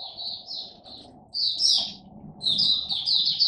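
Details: Mata puteh, the Oriental white-eye, in caged buka song: short high chirping phrases separated by pauses, then a louder, quick twittering burst.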